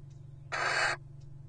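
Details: Wild little owl resting in a nest box during the breeding season, with eggs laid from late February into March 2023: a single harsh, broad hissing burst lasting about half a second, set against a steady low hum.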